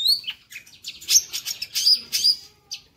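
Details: A lively long-tailed shrike sings a fast, scratchy chatter of high, varied notes with sharp whistled squeaks, delivered in bursts with brief pauses.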